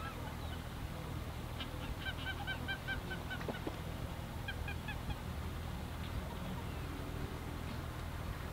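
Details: Greater white-fronted geese calling on 17 February 2019 at 14:50 in the Ahsewiesen nature reserve, Germany; short bursts of high, yelping honks in two loose series, with steady low rumbling noise underneath.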